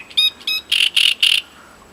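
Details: In Voronezh, Russia, 2012, a great reed warbler sings a brief phrase: two nasal, squeaky notes followed by three loud, harsh, croaking syllables in quick, even succession.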